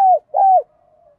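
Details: Decoy spotted dove whose good cooing voice rouses trainee birds. It gives two loud, mellow, slightly falling coo notes, followed by a faint trailing coo.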